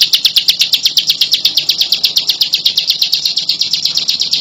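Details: Persistent song of a bar-winged prinia: bright, high-pitched notes delivered in a quick, metronomic series, each note short and slightly buzzy, continuing throughout.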